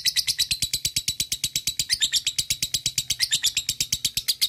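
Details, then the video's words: Lovebird performing the 'ngekek panjang' long trill, intended to excite listening lovebirds into singing; steady, rapid, rhythmic chain of piercing buzzy chirps, roughly seven per second, sustained throughout. "lovebird cepat naik EMOSI dan langsung jadi ngekek panjang"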